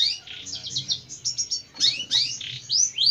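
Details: Jentet bird song: quick bursts of high twittering notes followed by bright upward-sweeping whistles, delivered in rapid succession above a soft low hum.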